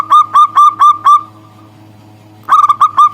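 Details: A local zebra dove calling to a rival: five steady, rounded coos, a pause with a lingering faint tone, then a new bout opening with quick stuttered notes, all at one mid pitch.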